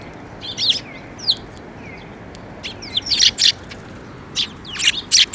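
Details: Sparrows flying in to be fed at Mizukami bridge by a Tenmangu shrine on 5 May 2024; short, bright chirps come in scattered bursts, a few quick calls clustered together and then pauses, over a steady background hiss.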